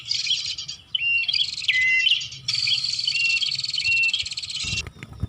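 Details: Bar-winged prinia lure recording for calling birds in: long runs of dense, high buzzing trills with a few thin whistled slides, ending abruptly in a low knock and quiet.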